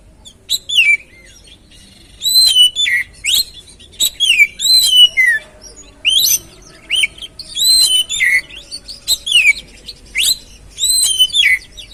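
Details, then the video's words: Oriental magpie-robin song used to stimulate a stressed bird that sings too little: a long, steady run of rich downslurred whistles and short sharp notes, delivered in quick bursts one after another. "Pancingan Burung Kacer Atasi Macet Dan Stres Kurang Gacor"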